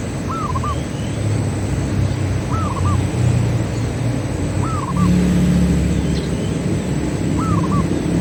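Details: Zebra dove, a local bird cooing as a lure to make other doves sing: four evenly spaced phrases, each a rising coo and two quick short notes, roughly every two seconds, over a low droning background.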